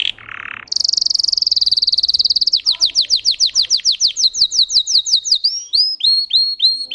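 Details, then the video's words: Singing Russian canary: two short buzzy notes, then a dense high trill that breaks into slower downward strokes and finally looping, whistled phrases. Its song spans 10-15 high variations over 45-60 seconds. "Red trees Canary Singing"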